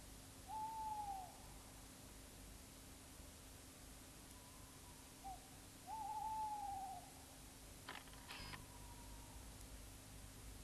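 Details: Tawny owl (Strix aluco) at a nest in woodland three miles west of Oxford on the night of 15 April: two drawn-out, mellow hoots, each gently arching then falling, about five seconds apart, then a brief knock over a low steady hum.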